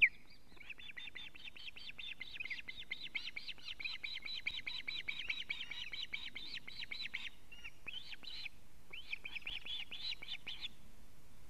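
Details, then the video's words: Alarm calls of a male osprey arriving at a Latvian nest with a living fish, captured by a live nest camera on the evening of 19 July 2017: a long, rapid chatter of high, whistled notes with a short break near the end. "Teo brings a living fish- alarm calling"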